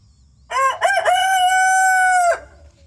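A Rhode Island Red rooster gives a single full crow, two short rising notes then a long held harmonic-rich note ending abruptly, nearly two seconds in all.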